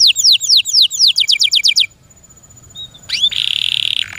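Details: Loud canary song: a quick series of bright, downward-sweeping whistled notes, a brief near-silent gap with a soft note, then an upward slur leading into a steady rattling trill.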